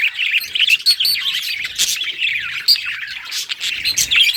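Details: Pet budgerigar singing happily: a continuous chattering warble of rapid chirps and whistled notes, with sharp clicks scattered through.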